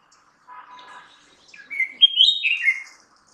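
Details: Red-whiskered bulbul singing one cheerful whistled phrase that rises in steps then tumbles down in a brief warble, preceded by faint soft background chatter.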